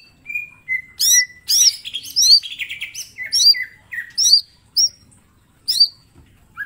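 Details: Mini green leafbird belting out training master song: a level whistle, rapid high looping chirps and buzzy trills, then spaced bright hooked notes about every half second, quiet surroundings.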